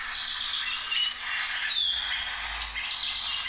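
Orange-bellied Euphonia song: a busy, jumbled run of thin high whistles and short chirps, some rising and some falling, tumbling along several per second.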